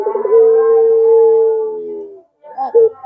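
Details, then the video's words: Barbary dove, pelung style, cooing as a lure to make other doves answer: a quick rolling burr opens into one long, even, low drawn-out note nearly two seconds long, then a short rolled coo. "Pancingan Suara PuterPaling Heboh Sejagat Raya"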